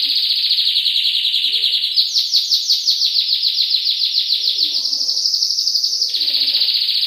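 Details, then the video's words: Canary song, masteran style: a rolling trill leaps higher into quick, clearly separated repeated notes, settles into another fast trill, then returns to the opening roll, with faint low chatter in the background. "Masteran Suara Kenari"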